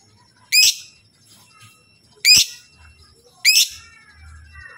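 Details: Lovebird calling to make other lovebirds answer: three loud, sharp, rising shrieks about 1.5 seconds apart, with soft chattering in between.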